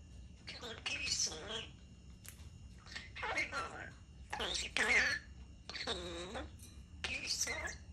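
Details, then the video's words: A common (European) starling talking bird mimics human speech in short raspy, word-like bursts about once a second, with squeaky whistles mixed in, in a quiet room; common starling. "European starling talking bird"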